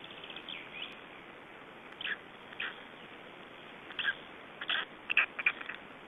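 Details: Three-day-old Black Stork chicks, Estonia, 2012: a few soft scratchy peeps early, then a quick burst of sharper, louder cheeps toward the end over a hissy background.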